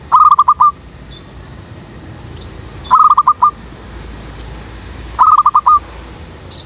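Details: Zebra dove serving as a lure to trap doves, in a jackfruit tree behind a house: three brisk phrases of rapid staccato cooing notes, each under a second long and spaced about two and a half seconds apart, over a quiet background.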